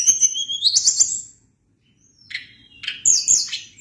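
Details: Loud rising whistle from a Sunda blue robin, sweeping upward into rapid chattering notes, then a pause and another fast, sharp burst of high twittering.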